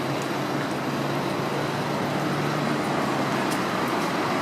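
Continuous loud road traffic roars from start to end, a dense rumble of passing vehicles with no animal voices standing out.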